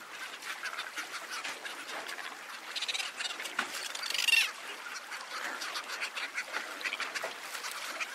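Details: Cape petrels (Daption capense) calling: a dense chorus of harsh, rapid cackling and chattering from many birds, with one brief squealing note rising above the din midway.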